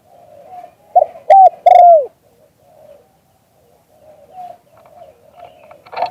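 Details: Spotted dove cooing in the 'liu tan' style, recorded live: a single phrase of two short coos and a long descending coo, then soft low murmurs and a brief clatter at the end.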